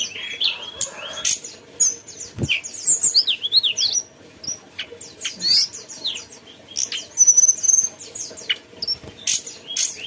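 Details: Mountain tailorbird song in bursts over ten seconds: thin zigzag whistles, sharp high chirps and clicks, separated by short silences, with one low thump early on.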